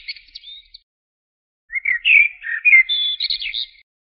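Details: Common blackbird song: the tail of one phrase, a short pause, then a rich phrase of rapid warbled notes that climbs into higher, squeakier twittering at its end.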